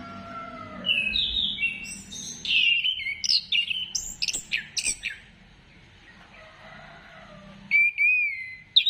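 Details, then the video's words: Orange-headed thrush singing as a lure to get other birds singing: a burst of loud, varied whistles and sharp chirps, then a quiet pause, then a final clear whistled phrase near the end. "Gacorkan Burung Anis Kembang Dengan Pancingan Suara Ini"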